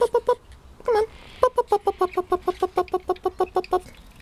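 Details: A pet female Quaker parrot, about 6 years old, gives one drawn-out wail, then a fast string of short, nasal, evenly spaced notes.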